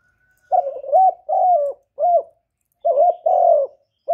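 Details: Spotted dove decoy bird cooing to lure and stimulate other doves, recorded directly without background noise: a run of low, hoarse coo notes, each short burst followed by a longer sliding coo, with no other sounds.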